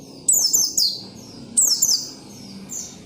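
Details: Oriental white-eye singing tirelessly, meant to make other white-eyes sing: two quick bursts of high, bright, downslurred twittering notes over a soft low background murmur.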